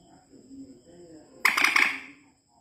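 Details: A white-breasted waterhen lure recording: a single harsh, croaking burst under a second long follows a faint low murmur, with a steady high electronic whine throughout.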